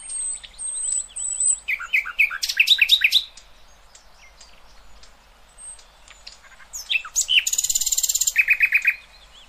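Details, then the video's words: Nightingale singing as a model for young goldfinches and hybrids: thin high whistles, a burst of loud rising and falling slurred notes, a pause, then a fast buzzy trill ending in quick repeated chirps. "اقوى تغريد طائر العندليب"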